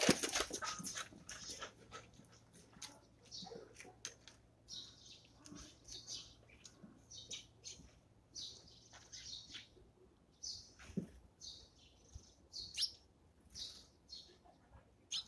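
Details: Eurasian tree sparrows at their morning feeding give short, high, scratchy chirps in loose, irregular bursts several times a second, with soft tapping and rustling throughout.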